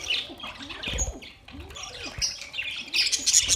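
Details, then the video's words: Budgerigars feeding together on soft food, 3 October 2023: short high chirps and squeaky notes scattered through, mixed with faint low rustles. "Budgies eating sounds"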